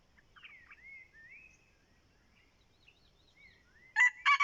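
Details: ["A decoy red junglefowl's crow bursts in abruptly at the end and is cut short. Before it, gentle gliding whistles of other birds carry over a quiet background."]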